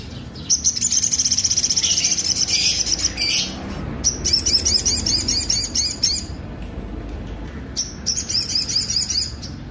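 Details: Rough-noted sunbird song, used for training other songbirds. Long, fast, high-pitched rattling trills run for several seconds, then break into shorter, choppy bursts with sharp chirps in between.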